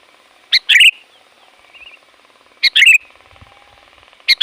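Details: Loud sooty-headed bulbul used to call wild bulbuls: repeated bubbly phrases, each a short note then a warbled flourish, about every two seconds, plus a soft quieter chirp between them and a faint steady hum.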